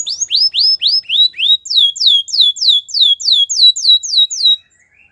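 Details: White canary singing a training song: a fast series of clear rising whistled slurs, then a run of loud descending sweeps repeated about four per second, ending in silence.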